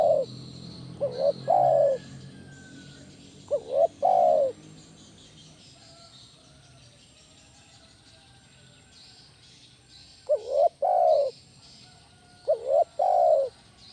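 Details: Spotted dove 'kuk 1' lure call for training other doves. Two coo phrases, a short broken note and then a longer held coo, are followed by a quiet gap of several seconds, after which two more phrases come.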